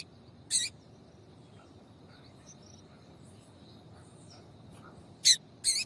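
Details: Female double-collared seedeater call used to make males sing: three short, sharp, high chirps spread over six seconds, with faint soft peeps and a steady background hiss between them.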